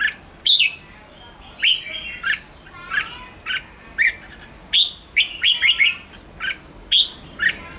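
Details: ['Red-whiskered bulbul chattering song used to stimulate wild birds: quick bright whistled and buzzy phrases in bursts, each note dropping or slurring, with short pauses between groups.']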